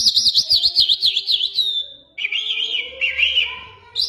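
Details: Jal lark of Mashadi style singing a fast high zigzag trill, a short pause, then a lower wavering warbled phrase ending in a rising note.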